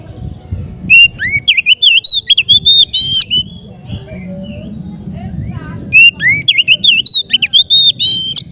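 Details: Kept Oriental magpie-robin in relaxed ngeplong style, used to train raw birds. Two bursts of rapid, ringing whistles with rising and falling slurs are separated by a quieter pause. A faint low murmur runs underneath.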